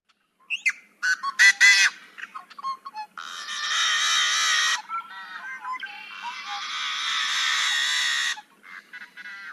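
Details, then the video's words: Yellow-headed blackbird snarl song: a few clipped, scratchy intro notes, then long, loud, harsh, buzzing snarls lasting several seconds each. The bird throws its head back to sing, perched up conspicuously on marsh vegetation. "So, let's listen to some of the yellowheaded blackbird songs."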